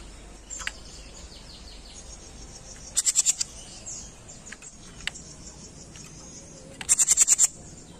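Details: Jenggot bird on a masteran recording, with two bursts of very high, fast pulsed notes, four then six, separated by about four seconds. Faint chirps and clicks fill the background.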